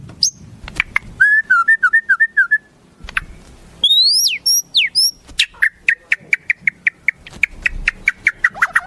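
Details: White-rumped shama singing wild-bird phrases: a wavering whistled trill, loud rising sweeps, then a long series of short sharp chips repeated several times a second over faint low background noise.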